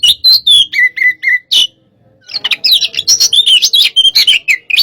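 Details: White-rumped shama, hot type, sparring in a pacingan: a few clear descending whistles, a brief pause, then a dense torrent of rapid, tumbling high notes and scratchy chatter.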